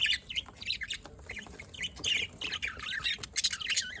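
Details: Budgerigars kept as pets in Larkana, Sindh, recorded 27 October 2023, a dense rapid chatter of looping warbles, chirps and harsh squawks from several birds, nearly continuous throughout.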